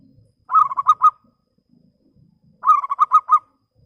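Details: Local zebra dove kept as a lure bird to call rivals, singing with a clear voice: two quick bursts of about five soft, rolling staccato coos, each burst under a second, separated by a two-second pause with faint low background murmurs.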